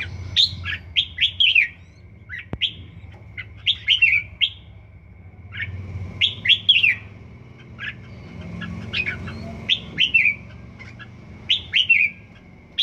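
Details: Red-whiskered bulbul one season old, practising its song a lot: bright, bubbly whistled phrases of three to five quick notes, repeated every second or two, over a faint steady whine and low rumble.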